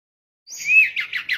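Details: Sooty-headed bulbul lure song used for bird trapping; a short burst of bright, slurred whistles with a rising note, then quick warbled chirps.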